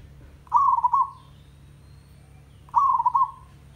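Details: Zebra dove from a village in tandang style: two bubbly phrases of quick, broken coos that trail off, a little over two seconds apart, with faint background hum.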